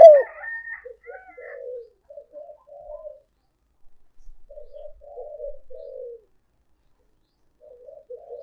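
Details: Lure call of a spotted dove: after brief higher chirping at the start, several series of soft, low coos follow, each with short notes leading into a longer croon, separated by pauses.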